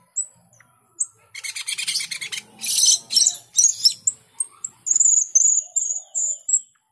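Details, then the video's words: Asian pied starling in vigorous song, rapid bursts of grating chatter about twice a second, ending in a string of thin high whistled notes. "Jalak keling gacor dor"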